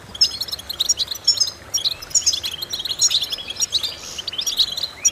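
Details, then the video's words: European goldfinch song used as a vocal exercise to stimulate goldfinches: bright, high twittering with sharp chips and short tinkling notes in quick, irregular bursts, some rising slurs near the end. "important vocal exercises necessary to stimulate goldfinches"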